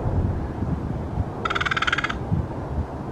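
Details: A crow eating gives one harsh, rattling caw lasting well under a second, buzzy and pulsed, over a low background rumble.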